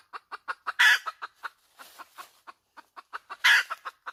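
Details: Clucking hen: rapid dry clucks lead into a loud, strident squawk, a softer drawn-out groaning note, more clucks, and a second loud squawk near the end.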